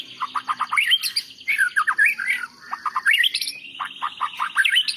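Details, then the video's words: Champion white-rumped shama song filled with mimicked phrases of other birds: a mix of lower choppy chips and harsher notes interleaved with higher looping whistles, delivered in uneven bursts. "Suara Murai Batu Juara Nasional"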